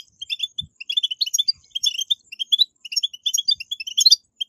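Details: Goldfinch betbetat song meant to stir caged goldfinches into singing: a dense run of bright, rapid chirps and tinkly trills without pause, plus a single dull low thump near the start.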